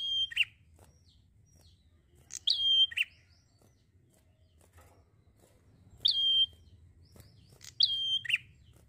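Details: Leisurely prinia singing, each phrase a high steady whistle dropping into a short gritty note, four phrases in about nine seconds with long gaps and a low background drone.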